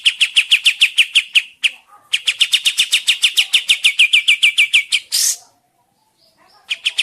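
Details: Sooty-headed bulbul lure sound: a long string of quick, clear, slightly downslurred chirps in two runs, then a brief harsh hiss and near silence before a few notes resume.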